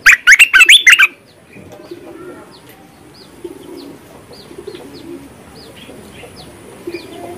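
A bulbul opens with a loud one-second burst of rich, bubbling, fluty notes. Faint high chirps from other birds and soft low cooing follow.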